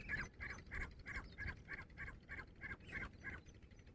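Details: Grey francolin, known locally as dhakni teetar, a female calling during a fight: harsh, nasal notes repeated steadily about three times a second, each a short buzzy burst, with low background rumble throughout.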